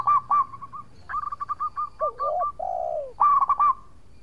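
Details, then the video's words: Zebra dove, a local bird used as a lure, giving quick stuttered coos, a series of clipped notes, two long falling tones, and a final burst of rolling coos. "Perkutut Lokal Gacor Suara Merduk Cocok Buat Pancingan - Bikin lawan langsung Nyaut!!!"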